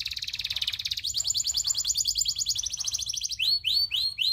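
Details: Long-rolling tutor song of a local canary: a fast buzzy trill shifting upward into a rapid rattling roll, closing with four loud downward-sweeping whistles.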